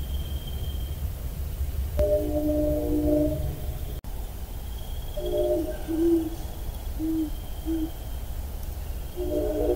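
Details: Great horned owl in eastern Massachusetts giving deep, soft hoots in short stuttering groups, with pauses between bursts, over a constant low rumbling background.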